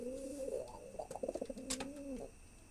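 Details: Cooing of a male pigeon courting a female, one long, low, throaty rolling coo with a brief stuttering middle section, over a steady background hum.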